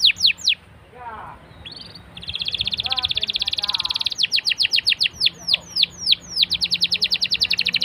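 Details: Canary song played to prompt other canaries: a few sharp downsweeps, soft lower chirps, a long fast buzzy trill, then a lively series of descending whistled notes.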